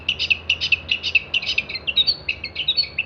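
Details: Long-tailed shrike singing as a tutor for songbirds: rapid, fairly steady string of short chattering notes, more than two per second, shifting into varied twittering near the end.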